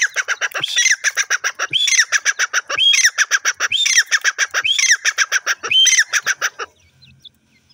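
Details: Francolin chicks recorded: a loud, harsh, rhythmic series of rasping pulses, repeated rapidly and in phrases about every second, each phrase carrying a rising tonal note, stopping abruptly near the end.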